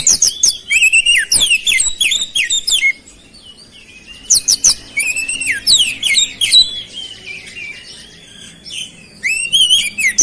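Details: Oriental magpie-robin singing strongly, its phrases filled with flowerpecker-like notes: long runs of loud, rapidly repeated sliding whistles and high chips, broken by a brief quiet gap before singing resumes.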